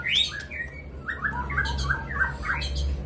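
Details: White-rumped shama from Aceh singing in the evening: a sequence of clear whistled notes stepping down and up, over a steady low hum.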